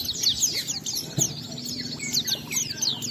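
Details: Oriental white-eye song meant to stir other white-eyes to sing, heard faintly over a low background hum: high twittering slurred notes in quick, uneven succession.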